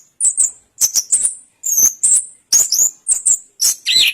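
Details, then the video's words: Orange-headed thrush producing very high, sharp double and triple notes in separate bursts about every half second, with a final lower whistled flourish. "Suara Burung Anis Kembang Durasian"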